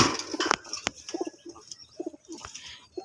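Pigeons give soft, low, throaty coos in short repeated bursts, with sharp clicks and flutters between.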